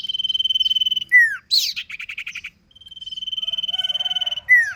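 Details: Sirpu in ngentir song: rapid steady pulsed trills on one pitch alternating with loud downslurred notes and a burst of quick chattering pulses.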